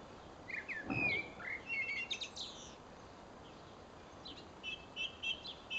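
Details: Song thrush singing while perched in a tree at Pessac (33): clear whistled phrases with a sharp downward note, then a buzzy rattling flourish, and finally a short high note repeated three times, over steady broadband background noise.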